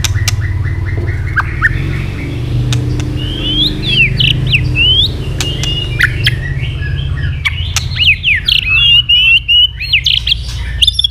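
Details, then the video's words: {'text': 'Fighting song from a white-rumped shama flicking its tail while stimulated to sing; varied high warbling slurs and chirps over a steady low hum, with intermittent clicks.'} "chòe lửa đập đuôi liên tục kích thích lửa hót đấu nhanh căng,chòe lửa tạch chòe lửa hót đấu"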